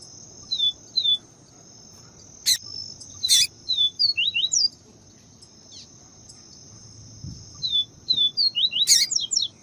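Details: Clean viviti-style song of the papa-capim viviti, or Yellow-bellied Seedeater, with a female calling to excite the male: bursts of high thin whistled slurs separated by pauses, sharp clicks, and a steady high whine throughout.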